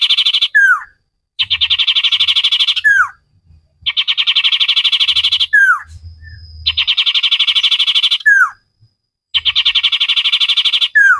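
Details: Energetic common iora song for cage-bird training: long, even, rapidly pulsed trills lasting over a second each, each closed by a falling whistled slur, repeated four times with short gaps.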